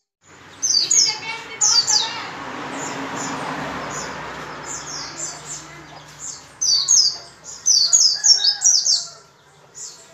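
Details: White-eye song aimed at getting other white-eyes to sing: scattered high, squeaky twitters at first, then a rush of hissing noise, followed by a dense run of sharp, rapid chirping phrases.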